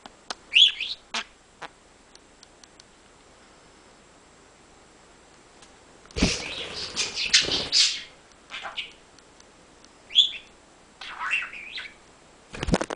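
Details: A male pet budgerigar, kept for 13 weeks and a keen talker, chatters in rapid, scratchy bursts of high warbles and clicks, mimicking speech.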